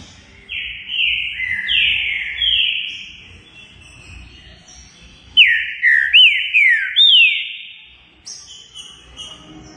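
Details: Green-winged saltator singing repeatedly: two bursts of rich, clear whistled notes that each glide downward, linked in quick overlapping chains, the second burst louder with hooked upswept starts; quiet gaps fall between phrases.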